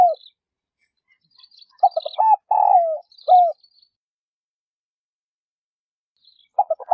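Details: Female spotted dove calling to stimulate males to coo: a low, soft cooing phrase of about four throaty notes, the third longest and falling, repeated after several seconds of silence, with faint high chirps from other birds between phrases.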